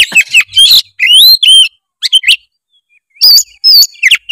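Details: Loud oriental magpie-robin in 'gacor full isian' style, a lure to rouse lazy birds: slurred, upward-bending whistles mixed with harsh chatters, then a brief silence and more high, fluting phrases.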